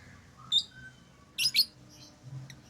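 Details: Lovebirds chirping: one sharp squeak, then a pair of loud rasping chirps in quick succession, followed by softer thin notes, over a quiet low hum.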